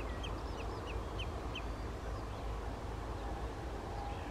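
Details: Adult and juvenile common redshank recorded near Skoczów, Poland, 16 June 2021; a quick series of five clipped descending piping notes, evenly spaced, over constant low background rumble.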